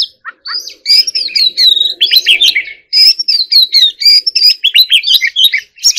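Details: White-rumped shama in fighting-song style, giving rich ringing whistles and rapid chattering runs in dense bursts, with one short pause near the start and a faint low hum behind.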